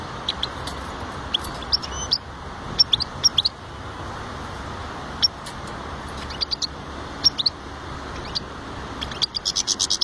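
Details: European goldfinch giving scattered bright, high chirps and short twittering clusters spread through ten seconds, with a denser run of notes at the end, over a steady low background hum.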